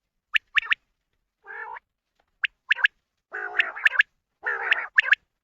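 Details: Common quail calling during net hunting. Sharp, high three-note bursts, each note quick and clipped, recur through the recording. Lower, harsher buzzing calls come between them.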